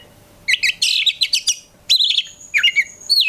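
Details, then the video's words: Prospect Oriental magpie-robin (kacer) delivering isian-filled gacor song intended to provoke other magpie-robins to reply; a dense scratchy burst, then a clear wavering whistle and a downslurred phrase. "KACER GACOR FULL ISIAN BIKIN KACER APAPUN LANGSUNG NYAUT"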